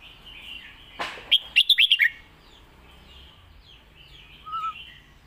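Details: A Red-whiskered bulbul sings its Lak Wai master song: a brief rustling noise, then a quick run of five or six sweet whistled notes, followed by a soft low whistle later.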